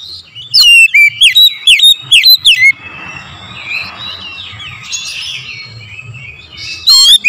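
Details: Morning lure song of an oriental magpie-robin: a quick run of loud, piercing down-slurred whistles, then softer rambling warbles and faint chirps, ending with another sharp whistled note.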